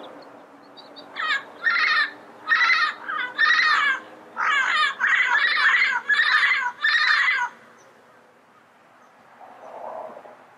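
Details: Wild Yellow-headed parrot uttering about ten harsh, clipped squawks in quick succession, followed by quiet with a faint low sound near the end.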